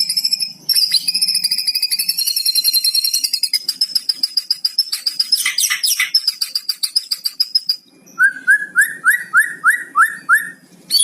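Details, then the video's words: Lure song of a White-rumped shama carrying 'cucok cungko' fill-in phrases, meant to get other shamas singing: long fast rattling trill of high pulses, a dense chattering passage, then a series of about eight short rising whistled notes. "MURAI BATU ISIAN CUCOK CUNGKO"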